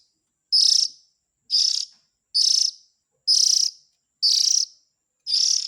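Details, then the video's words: Oriental magpie-robin young giving a begging-style lure call for parent birds: six loud, raspy hisses, evenly spaced just under a second apart, with no other sounds. "Suara Pikat indukan burung kacer ,suara anak nya"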